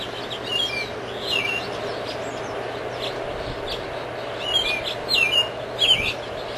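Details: American robin, a typical North American bird likened to the blackbird, singing short warbled, slurred phrases in bursts spaced roughly a second apart, with high thin notes between, over a constant low hum of background noise.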